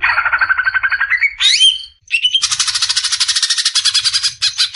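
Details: Greater green leafbird besetan song for training caged birds: a rising buzzy rattle, a quick upslurred whistle, then a sustained high, harsh chattering trill.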